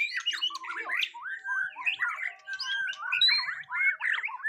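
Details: A dense, energetic stream of mixed whistles, buzzy notes and chatter from a white-rumped shama being tested for mental strength for the first time.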